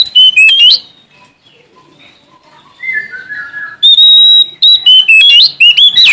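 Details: Sumatran Oriental magpie-robin singing boldly to find a rival: rapid sharp whistled notes, a pause with a soft lower descending warble, then a long pure whistle and a fast run of bright, rising and falling phrases.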